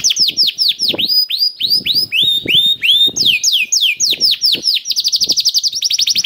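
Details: Canary in lively gacor song, used to prompt other canaries: strings of sweeping downslurred whistles at changing pitches, ending in quick steady trills.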